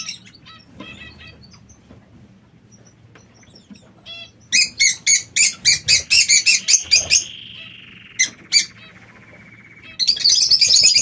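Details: Aviary-kept king quail giving a run of about ten loud, evenly spaced high chirps, then a long, thin, level whistle slowly sliding lower. More chirps close the recording over soft background hum.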